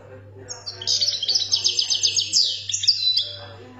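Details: ['Algerian European goldfinch song in the khaloui style: a fast, liquid stream of high twitters and buzzy trilled notes running nearly three seconds, with a steady low hum underneath.']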